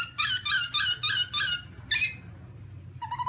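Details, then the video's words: Black-throated laughingthrush (Garrulax chinensis) making a fast run of about six harsh nasal notes, a single further note, a pause, then a soft whistle, with low background rumble. "Birds Black-throated laughingthrush (Garrulax chinensis): Funny Sounds And Funny Dances"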